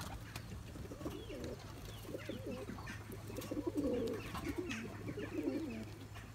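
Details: Turkish tumbler pigeon male in a loft chasing his mate to breed; a run of deep, rolling, throaty coos repeated in quick succession, louder in the middle, over a constant low electrical hum.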